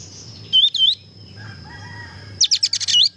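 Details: White-shouldered triller in lively full song: two high, curved whistled notes, a pause, then a rapid burst of six sharp high notes rising and falling, over a faint low hum.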